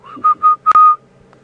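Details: On a morning drive at Djuma Game Reserve on 2 April 2015, an unseen Orange-breasted Bushshrike calling very close by gives mellow, level whistles: three short notes, then a longer drawn-out one, with a faint click.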